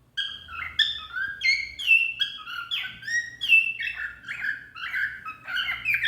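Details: A cockatiel (Nymphicus hollandicus) chirps steadily, with bright, slurred whistled notes rising and falling in quick succession, apparently saying "I love you."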